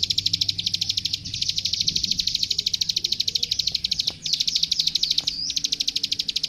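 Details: Klik klik, or prenjak sawah (plain prinia), singing for a master recording meant to teach young birds: fast, even, high-pitched ticking notes pouring out continuously, with two brief breaks and a soft low rumble beneath.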